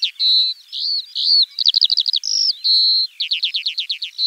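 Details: Eurasian skylark song in spring: a continuous high warbling stream mixing steady whistled notes with rapid buzzy trills of repeated chirps, no other sounds.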